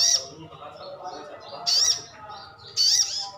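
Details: Captive sogon ngalas, brown-throated sunbird, giving its lure call meant to make other birds respond: three loud, thin, high chirps spaced over a second apart, over a steady low background hum.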